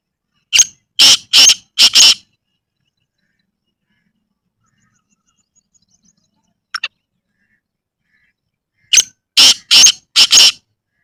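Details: Black francolin (kala teetar) calling in a village setting: a harsh burst of four rapid, rasping notes, a long pause, then a second four-note phrase, with a faint brief chirp between.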